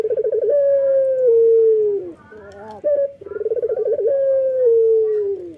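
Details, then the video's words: In the morning, a male Barbary dove of local stock sings hard: a stuttering, vibrating coo opens into a long, low, slowly descending tone, a short break with quiet notes, then the same phrase again. "SUARA BURUNG PUTER LOKAL JANTAN GACOR PAGI HARI"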